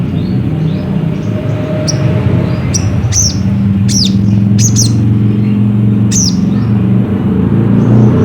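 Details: Ruby-cheeked sunbird calls, used as a lure to make another bird sing: sparse, sharp high notes sweeping downward, some paired, spaced a second or two apart, over a steady engine-like rumble.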